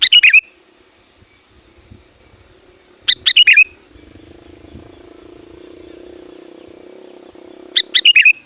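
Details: Lure call of a sooty-headed bulbul for attracting wild birds: repeated short chattering bursts of bright chirps, separated by pauses, with a steady low hum in the middle stretch.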